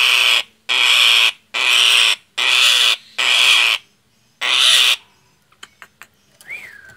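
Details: Frightened alarm calls of a Nias hill myna, used for luring birds: six harsh, loud screeches, each about half a second long, at a steady pace, then a few clicks and a short rising whistle.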